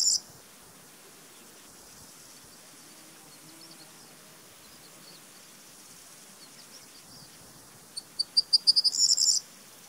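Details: Corn bunting song along the former Iron Curtain: a few separate ticking notes speed up into a dry, jangling rattle, with a brief fragment opening the clip over quiet background hiss.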